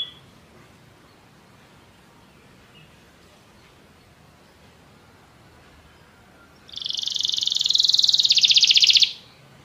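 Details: Canary song for a pet bird to copy: after a long near-silent pause, a fast, buzzy, high-pitched trill of rapidly repeated notes bursts in and holds for over two seconds before stopping abruptly.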